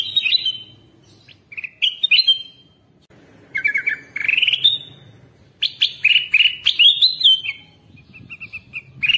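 Ruby-throated Bulbul giving bright, bubbling whistled phrases in quick bursts, some rising and warbled, with brief pauses between groups.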